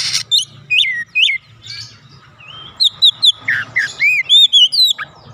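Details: Oriental magpie-robin in training, singing a varied series of whistled upslurs and downslurs, looping notes and a few harsher rasps, at a steady pace.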